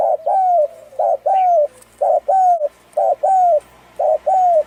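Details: Thai-strain spotted dove with a hoarse voice, cooing to rouse males and females and stir decoy birds: five two-part phrases, a short low coo then a longer slurred note, repeated roughly every 1.2 seconds, with faint high chirps behind.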